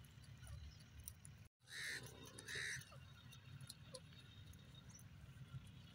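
A grey francolin gives two loud, harsh, ringing notes about half a second apart, over a steady low rumble of background noise.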